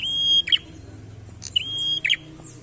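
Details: Two quick phrases from a prinia singing vigorously as a challenge. A thin, steady whistle snaps into a harsh, buzzy trill, with a soft low drone behind.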